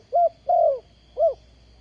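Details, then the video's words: Spotted dove kept as a ground decoy for trapping wild doves, 20 April 2020: three low cooing notes, a short coo, a longer drawn-out falling croo, then another short coo, over a faint steady high hum. "Bẫy Chim cu gáy bằng mồi đất"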